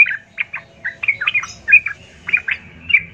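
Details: Sooty-headed bulbul singing as a provoking lure for fights: scattered short, throaty warbled notes, loosely spaced over three seconds, with a faint low rumble beneath.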